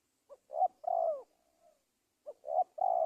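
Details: Spotted dove lure call used for trapping wild doves in Indonesia: two short low coos and a longer, falling, rolling coo, then the same phrase again after a brief pause.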